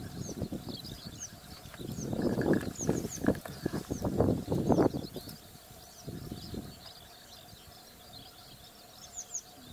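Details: Sarus cranes in Koh Andeth Wildlife Sanctuary, Cambodia, 7 January 2023, give a burst of loud, low, rough trumpeting notes for a few seconds, then one shorter burst, over faint high chirps of small birds.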